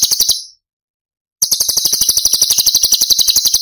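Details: Cucak cungkok in 'tembakan' song for masteran training of songbirds: the tail of a harsh pulsed burst, a second of silence, then a sustained fast rattle of shrill, evenly spaced notes.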